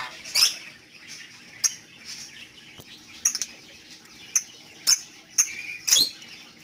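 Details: Lovebird giving short, sharp, very high chirps in separate bursts, roughly every half second to second, against a quiet background with faint low hum.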